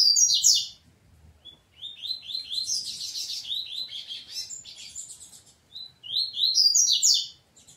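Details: Double-collared seedeater fighting with its family, giving dense high chirps and quick downslurred whistles that run together into a busy, scratchy chatter for several seconds, then a louder closing burst.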